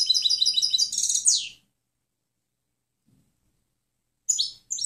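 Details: European goldfinch singing clean song for bird-training playback: a rapid, liquid twitter of repeated high notes ending in a slurred downward trill, a pause, then a few fresh chirps.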